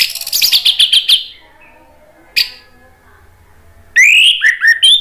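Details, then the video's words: An orange-headed thrush sings rapid, sharp chattering notes, pauses, then gives loud rising and falling whistled phrases. The recording is used as a provoking and therapy track for orange-headed thrushes that have stopped singing. "ANIS MERAH GACOR MATERI PEDES bikin NYAUT NGEPLONG"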